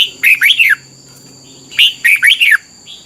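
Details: Caged red-whiskered bulbul song, played each morning to train young birds: two short bursts of three or four loud, slurred whistled notes, rising then falling, separated by about a second of quiet; steady faint high tones run throughout.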